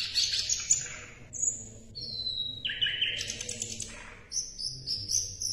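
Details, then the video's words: An Asian brown flycatcher sings a varied song of thin, high whistles, each held briefly before jumping to a new pitch, over a faint low hum. "SIKATAN LONDO MASTERAN"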